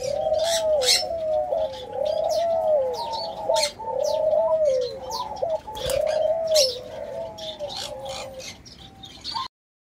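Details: Orange pearl ring-necked dove calling with a series of low rolling coos about every two seconds, over busy high chirps and twitters from other birds, ending abruptly.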